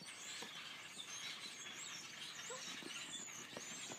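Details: Grackles crowded in a tree give a constant din of squeaky, hinge-like creaks and high whistled squeals, overlapping from many birds at once, with a few lower scraping notes mixed in.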